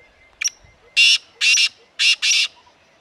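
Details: Grassland at Corbett Tiger Reserve, India, with a black francolin giving its call: a short click, then four loud buzzy, grating notes, one alone and a closely spaced trio, over a quiet background.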